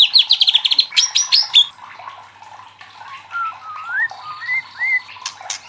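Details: White-rumped shama singing loudly to provoke other shamas: a rapid high trill and sharp ringing notes, then quieter scattered rising whistles.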